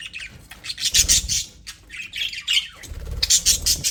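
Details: Several budgerigars in an aviary chattering: continuous overlapping buzzy chirps and squawks, dense and busy throughout, with a low rumble underneath.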